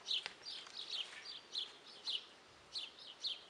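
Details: Guineafowl calling in a steady run of short, rasping, high notes, roughly one every half second, over faint background hiss.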